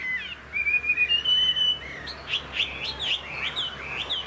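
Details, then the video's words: Chinese hwamei kept in a cage, praised as a strong singer and a tail-fanning fighter. Long clear whistled notes that rise and hold give way to a fast series of sharp, repeated slurred whistles, loud over a quiet background. "Họa mi dáng ngũ trường, đấu xòe, hót tốt"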